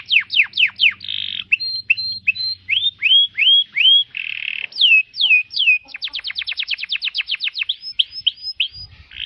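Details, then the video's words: Atlantic canary song recorded for tutoring cage birds: varied phrases of quick descending sweeps, buzzy rolled notes, rising upslurs and a rapid trill of many short notes, with a faint low hum early on. "Masteran kenari extrajos"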